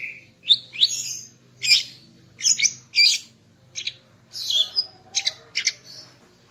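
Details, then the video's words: Female greater green leafbird, morning song aimed at raising the male's breeding drive: a string of loud, high chirps and squeaky double notes, roughly two per second, with a faint low hum beneath. "Kicau Burung Cucak Ijo Betina Pagi Hari untuk Naikkan Birahi Cucak Ijo Jantan"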